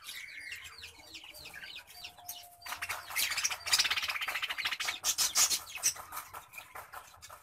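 Budgerigars give quick, repeated high chirps that swell into dense, continuous chattering and warbling from many birds at once.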